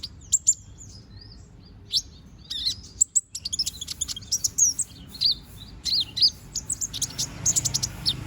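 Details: Young konin bird growing feathers sings busily: bursts of high, thin chirps and sharp ticks with pauses between, becoming denser and more chattering toward the end.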